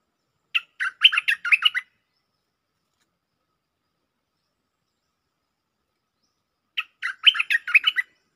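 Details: Lure recording of a bulbul singing vigorously in a doubled-phrase style: two fast bubbly bursts of slurred, chattering whistles, each about a second long and about six seconds apart, with silence between them.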